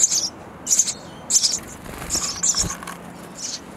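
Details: Nestling sparrows in a bird house beg noisily as parents arrive with insects, giving clustered high squeaky chirps in quick uneven bursts, with a soft rustle near the end.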